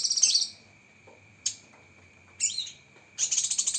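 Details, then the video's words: Cucak kinoi leafbird master recording with sharp 'tembakan' shots: a short shrill chattering burst, then brief sharp notes and a rising whistled slur, ending in fast high chatter, over a constant faint background whine. "Masteran Burung Cucak Kinoi Full Isian Tembakan Pedas"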